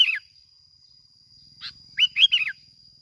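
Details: A Bình Thuận bulbul's 'kít bổi' lure song: a falling warble, a pause, a soft chirp, then a fast run of three looping whistled notes, against a steady electronic whine.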